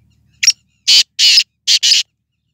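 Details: Black francolin calling: five loud, harsh, buzzy bursts in quick sequence, a short first note, then paired longer grating syllables, over a silent background.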